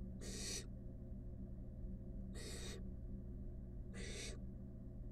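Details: Five wild barn owl chicks cuddle in a nest box and give three loud, noisy hisses about 1.8 seconds apart, each with a breathy rasping texture, over a low steady background hum.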